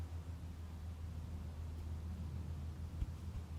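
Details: Quiet, steady low hum with faint background noise and one soft knock near the end; no animal can be heard.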